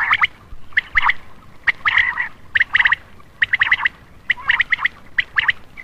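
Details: Common quail calling as a lure for males at night: crisp groups of two to three quick notes, repeated in a steady rhythm about once per second.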